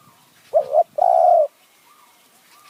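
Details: Spotted dove luring wild doves in Kanchanaburi's high forest, Thailand, with a khu ang calling style. A single phrase: a short wavering coo, then a longer level coo, followed by quieter distant cooing.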